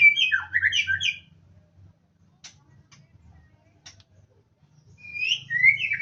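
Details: Male white-rumped shama singing in the wild: a burst of rich, varied whistled notes and warbles, then a quiet pause with faint clicks before another sweeping whistled phrase begins near the end.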